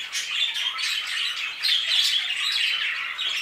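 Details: Budgerigars in an aviary, a dense overlapping chatter of chirps, warbles and squawks from many birds, steady and unbroken with brief louder bursts.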